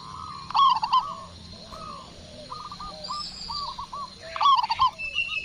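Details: Local zebra dove in Indonesia calling back after a single lure: two loud rolling, stuttered coo phrases at the start and end, separated by softer scattered cooing notes and faint hiss.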